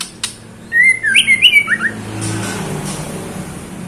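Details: Calling female white-rumped shama, uttered to attract a male: one brisk run of whistled, slurred notes, rising and falling quickly for about a second, then fading into low background hiss.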